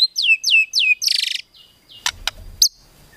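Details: White-rumped shama kretekan tembakan song for provoking a rival: three loud downslurred whistles, a short harsh buzzy rattle, then sharp clicks and one bright note.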